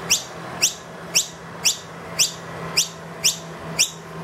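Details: With the feeder empty, a wild noisy miner accompanied by two young calls loudly for food in a room: evenly spaced sharp ascending chirps, about two each second, with a low hum underneath.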